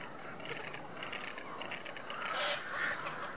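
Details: Cinnamon teal during courtship giving quick, soft, nasal chattering notes, about two or three a second, with a few clearer squeaky notes near the end, over a steady background hiss.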